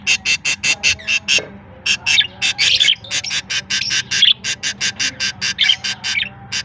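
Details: Baby budgerigars recorded on September 22, 2023: harsh, buzzy chirps repeated rapidly, about four to five per second, in a steady unbroken series with faint low tones underneath.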